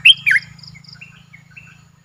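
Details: Caged streak-eared bulbul, Thailand. Two loud, slurred chirps come first, then scattered thin, faint whistled notes over a steady low electrical hum.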